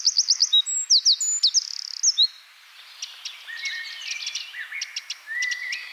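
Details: Eurasian wren ending a fast, high song phrase of sharp repeated notes and trills, then falling silent while softer, scattered chirps and thin whistles from other birds continue in the background.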